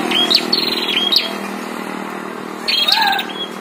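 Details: High prinia calls from a fight between a caged bird and a wild one: whistled notes with quick ticking trills, a pause, then another burst. A faint lower sliding note and background hum are heard.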